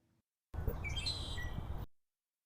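A Red-winged Blackbird gives a single harsh, slightly buzzy burst of high notes lasting about a second, over a steady low rumble of background noise.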